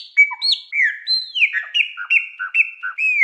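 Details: Chopi blackbird in Mineiro wild-style song: a long clear whistled slur, then a regular string of paired notes, each a high upslurred whistle followed by a lower short note, repeated roughly every third of a second.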